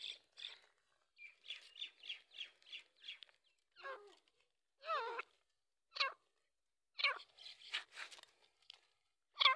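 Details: Grey francolins fighting, giving harsh rasping notes in a quick regular series, then scattered louder grating bursts with gaps of about a second, in a quiet setting.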